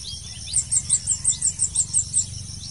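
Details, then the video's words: Blue-crowned hanging parrot during a trapping lure session, giving around ten piercing, very high-pitched chips in a fast even series, each note short and bright, over a constant insect drone and low background hum. "Memikat Serindit"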